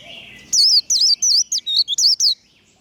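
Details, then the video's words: Warbling white-eye in 'líu đấu' fighting song, used to fire up birds: a quick string of about eight shrill, wavering whistled notes lasting under two seconds. "Vành khuyên líu đấu. Khuyên líu kích bổi. Kích lửa vành khuyên líu đấu"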